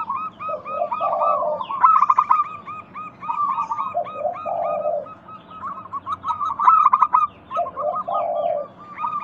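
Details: Local zebra dove song meant to prompt doves to call: fast, bubbling strings of ringing coos from several birds, broken by lower, softer rolling phrases repeated about every two to three seconds.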